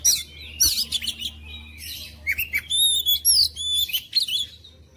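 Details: Oriental magpie-robin song: a rapid, varied run of sharp whistles, trills and sweeping slurred notes, with pure high whistles stacked near the middle and short bursts of chatter between phrases. A faint low hum stays in the background.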